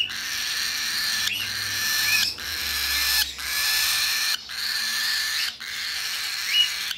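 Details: Hand-tame white-faced pearl cockatiel chick: long, harsh, hissing rasps about a second each, separated by brief gaps, repeated five times.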